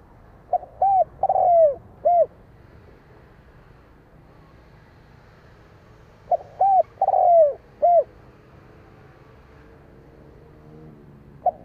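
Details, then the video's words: Spotted dove cooing, the same multi-note phrase given twice about six seconds apart: brief hollow coos around a longer, slurred falling note, with quiet gaps between phrases. "Chim cu gáy gọi hay mới nhất"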